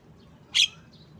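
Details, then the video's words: Asian pied starling, a single short harsh chirp spanning a broad high band, loudest near the middle of the clip, with faint background hiss. "Bird Song Jalak kebo"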